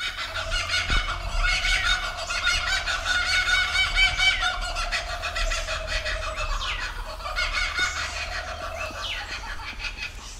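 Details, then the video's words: Laughing Kookaburras in Australia give a raucous, rapid chuckling laugh of harsh repeated notes that rises into excited cackles, with a steady low hum underneath. "Laughing Kookaburra"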